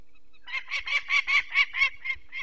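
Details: Peregrine falcon alarm calling at its nest in the Barycz Valley, Poland, on 2 May 2023, as people remove one of four chicks with eye problems: about nine harsh, evenly spaced cackling notes in a rapid series.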